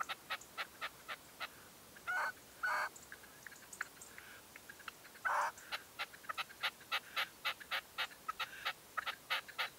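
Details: At a dawn hunting post in 2023, a red-legged partridge decoy gives quick clucking notes mixed with a few longer, grating phrases, then breaks into a dense, rapid run of calls.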